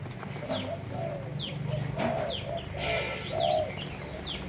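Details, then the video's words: Malaysian-line spotted dove in captivity giving low, soft coos in a rhythmic run, while other birds add thin high downward-sliding chirps and a brief rustle is heard. "Cu gáy Malaysia nhiều dòng"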